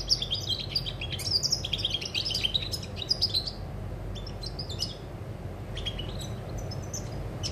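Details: European goldfinch song recorded on 20 August 2020: a rapid, tinkling run of high twittering notes for about three seconds, then scattered short chirps and brief twitters, over a steady low rumbling background noise.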